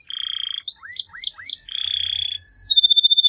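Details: Canary singing a buzzy trilled phrase, three rising slurred notes with sharp high accents, another buzzy trill, then a clear high whistled tone.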